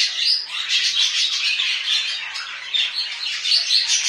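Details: Domestic budgerigars give a shrill, buzzy warble, thin whistled pips scattered through a constant scratchy chatter.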